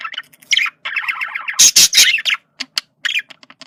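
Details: Communication call of a male budgerigar: a continuous scratchy, chattering warble with buzzy mid-pitched notes, a loud burst of harsh squawks in the middle, then scattered clicks and brief chirps.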